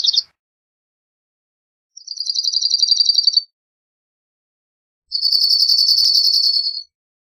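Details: Cirl bunting singing: two dry, fast rattling trills on one high pitch, each lasting under two seconds and separated by long silent pauses, with the tail of an earlier trill at the start.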